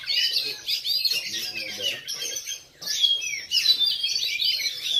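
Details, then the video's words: Black Oriental magpie-robin in bowing style at a routine practice singing contest in Lhokseumawe on 9 January 2022: rich, fast whistled phrases and sharp rising notes in two bursts split by a short pause, with faint voices beneath. "KACER KALA HITAM GAYA SUJUD"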